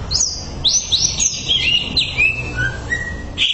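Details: Greater green leafbird song for training birds: clear whistled notes stepping downward in pitch, slurred and sweet, ending with a sharp higher note, over low background noise.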